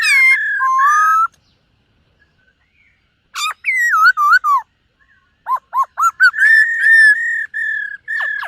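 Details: Silver-eared laughingthrush singing in a morning voice-training session: loud, clear whistled phrases around a steady pitch, some sliding and wavering, broken by a pause near the middle, then quick repeated notes running into long sustained whistles.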